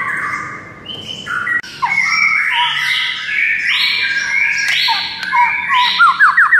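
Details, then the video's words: White-rumped shama, a 'murai batu' song meant to make birds answer within seconds: a rich run of whistled phrases, slurred notes and rapid descending trills, dense and varied, ending in quick repeated rising whistles. "JADIKAN MURAI BATU NYAUT DALAM HITUNGAN DETIK SAJA"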